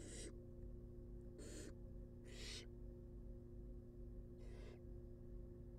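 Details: Four short, noisy hissing screeches from wild barn owl chicks at feeding time inside a research nest box, irregularly spaced, with a droning low hum throughout.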